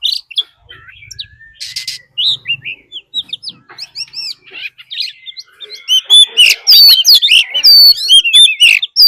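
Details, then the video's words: Oriental magpie-robin used as a decoy, singing a fighting song with a wild female calling. Scattered whistles at first, then a dense, loud run of rapid looping whistled notes in the final seconds. "Choè than mồi hót đấu +tiếng chim mái rừng"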